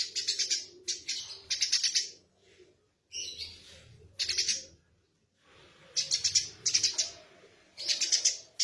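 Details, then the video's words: Eurasian tree sparrow, tame and calling constantly, giving groups of sharp high chirps in quick runs, with pauses between groups and faint low background noise. "Burung Gereja Gacor Jinak Tembakan Kasar"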